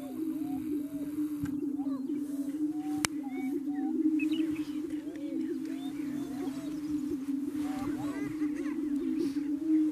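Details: Greater prairie chickens booming at a lek on a ranch near Wray, Yuma County, Colorado, April 14, 2019, with over 35 birds of both sexes. Males display to attract females. A continuous low, droning hum runs under scattered whooping cackles, with one sharp click.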